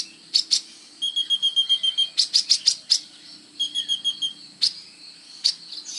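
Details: Sunbird singing actively as training material for songbirds: quick bursts of sharp high chirps alternating with thin whistled runs, over a faint low hum.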